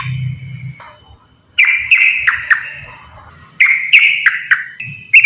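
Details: Straw-headed bulbul lure song: a sustained whistle, a gap, then two bursts of loud, ringing whistled phrases with sharp clicks, and a low murmur in the background.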